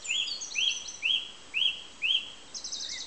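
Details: Song thrush singing one short rising-then-falling whistled phrase five times in a row, about every half second, then switching to a rapid high rattling figure.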